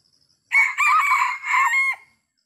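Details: Red junglefowl from Sumatra, recorded while being lured by traditional, inherited trapping methods, gives a brisk crow of three or four raspy syllables, the middle part steady and the close abruptly cut, with no background noise.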